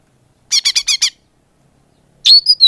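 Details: Lure call of the greater green leafbird for drawing in birds: five rough, nasal, harmonic notes in quick succession, a pause, then loud buzzy squeaking notes at the end.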